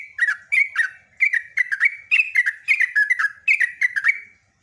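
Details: Sooty-headed bulbul singing long and lively: fast strings of liquid, slurred whistles, each note a short bubbly chirp, repeated in quick rhythmic runs with brief gaps.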